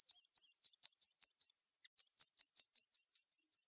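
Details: Siri-siri bird singing rapid 'sharp shots': a quick series of slurred, downward high whistles, a brief pause, then another long, even run of the same notes at about two or three per second.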